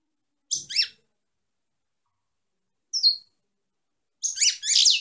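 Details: Female European goldfinch gives a short twittering phrase, a single clear downslurred note, then a fuller burst of fast tinkling, buzzy twitter.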